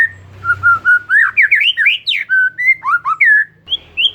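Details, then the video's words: Oriental magpie-robin lure song for a bird gone silent: even whistled notes, then a fast string of rising sweeps and slurred whistles, over a low background hum. "Kacer Mogok Bunyi Tiba-tiba Gacor Isian Mewah"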